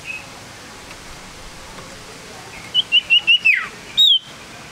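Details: Male common iora, tame and actively calling, is silent at first, then gives four short, evenly spaced whistled notes, a downward slur and a final clear whistle.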